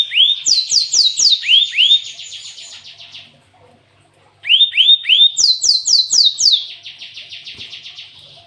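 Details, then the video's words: Glatik watu, the cinereous tit, with a song stuffed with canary-style material: rising whistled notes stacked into quick repeated phrases, then a trailing buzzy rattle, given twice in a row with a short silent gap. "Burung gLatek watu full isian kenari"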